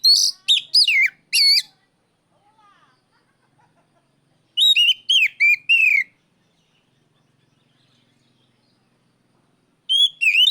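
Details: Oriental magpie-robin giving loud, clear calls to challenge a rival: bursts of strong whistled notes, each sliding sharply downward, in three groups separated by silence, with a final burst starting near the end.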